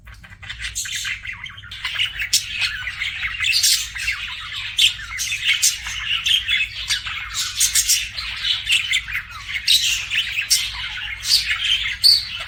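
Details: Pet budgies chattering continuously, a dense stream of scratchy chirps, squeaks and warbling buzzes with frequent sharp clicks, over a faint low hum.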